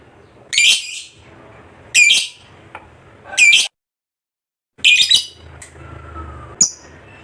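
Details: Contest fighter lovebird giving a run of harsh, buzzy squawks at intervals of about one and a half seconds, a pause, then two more shorter calls.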